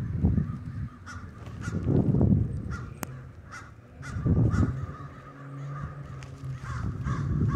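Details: A crow flock roosting in the Denver snow gives scattered, irregular harsh caws over a loud, rumbling low background noise.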